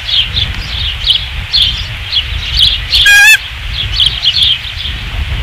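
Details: Osprey at a nest at Dunrovin Ranch, 5 August 2016: steady soft, high chirping, broken once by a single loud, ringing whistle lasting about a quarter second.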